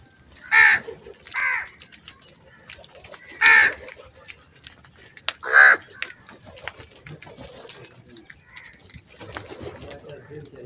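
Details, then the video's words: A crow in the morning, among crows fighting over food, gives four harsh, hoarse caws spaced irregularly over about six seconds, followed by quieter background chatter and faint distant bird calls. "Crow Sounds"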